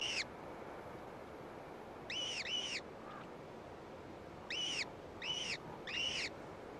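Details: Downy gyrfalcon brood at a cliff-ledge eyrie, the gray female having brought food; spaced arched squeals, a pair then a run of three, over a quiet hissing background.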